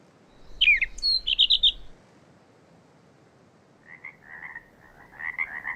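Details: A gray catbird in a restored Northern California meadow with dense willows and alders sings high, squeaky, chattering phrases, a burst, a pause, then lower churring notes over a faint rumble; this bird mimicked sora, western wood-pewee, Wilson's snipe and Pacific tree frog.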